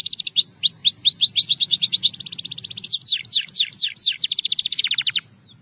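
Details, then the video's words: Russian singing canary in full song, aimed at attracting other canaries: rapid upswept whistled notes blending into a trill, then loud downward slurs and a closing buzzy trill that drops lower at the end. "A Special Canary to Seduce All The Canaries - The Russian Singing Canary"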